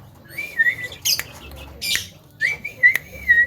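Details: Javan myna said to outperform a hill myna with its voice: two wavering, warbled high whistles separated by sharp clicks and scratchy bursts.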